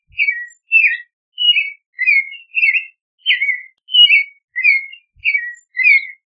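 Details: Clay-colored thrush song, a steady run of ten rich whistled phrases, each falling and slurred, spaced about every half second against a quiet background.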